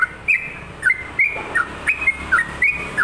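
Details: Sooty-headed bulbul singing actively, a recording meant to stimulate and tutor other bulbuls: bright, liquid whistled phrases, short rising and falling notes about three per second, over a faint background hiss.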